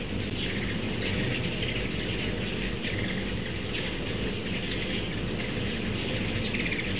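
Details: Several short, thin, high-pitched chips come in loose bursts from ruby-throated hummingbirds, mostly immatures, on fall migration through a Starkville, Mississippi backyard with many feeders, mid-September 2012. Constant low background hum throughout.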